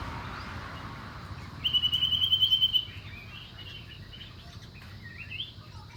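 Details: Common iora uttering a fast, high, even trill lasting about a second, followed by scattered softer chirps over a low, steady background hiss.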